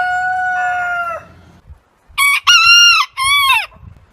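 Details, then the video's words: Rooster crowing from a heritage-breed backyard compilation: a level drawn-out crow, a short pause, then three strong arched crow syllables rising and falling. "Chicken Crowing Ayam Berkokok Con Gà Gáy"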